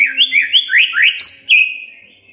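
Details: Magpie-robin song played to get a quiet bird singing: a quick series of bright swooping whistles, each rising then dropping, ending in a long fading whistled note.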